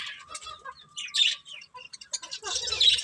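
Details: Budgerigars chirping: scattered soft twitters over a thin steady whistled tone, then a louder burst of raspy chatter at the end.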